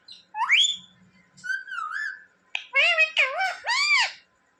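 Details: Talking pet parrot giving a rising whistle and a wavering whistled note, then three loud, voice-like syllables that rise and fall, in a quiet indoor space.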